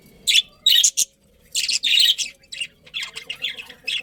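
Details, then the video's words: A breeding pair of budgerigars in a colony calling in separate squawky chirps and short warbled phrases, with brief quiet spaces between the bursts. "Cute Budgies Chirping Sounds"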